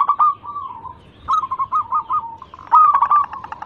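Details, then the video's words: Local zebra dove on a lure recording: short phrases of slurred and stuttered cooing notes, ending in a louder rolling burst. "Pancingan burung perkutut lokal gacor pintar merayu cepat bunyi"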